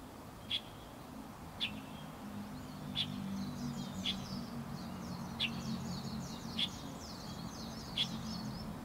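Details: Seven sharp high notes from a light-vented bulbul, spaced about a second apart, over a low rumble with faint twittering of other birds.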